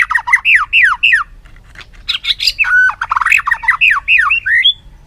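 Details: White-rumped shama singing in voice training, with loud, rich phrases of slurred falling and rising whistles repeated in quick runs, some buzzy notes and a short steady whistle in between.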